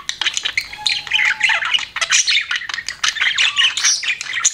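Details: Pet budgerigar parrot chattering almost nonstop: dense, scratchy warbling mixed with bright chirps and squawks, with one thin whistled note partway through.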